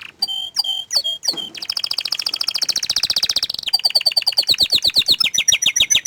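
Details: Orange frost canary singing: a few separate chirps, then long rapid trills of buzzy repeated notes that shift pitch from phrase to phrase and end in a fast, high, rolling series.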